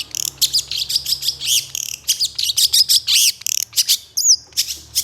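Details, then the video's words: Long-tailed shrike singing vigorously, mixing other species' sounds into harsh bursts: a dense, nearly continuous stream of varied chirps, warbles and rising squeaks, with one sweeping whistle near the end. "KICAU CENDET GACOR EMOSI CEPAT DI RESPON PENTET JENIS LAIN, MASTERAN CENDET FULL TEMBAKAN KASAR"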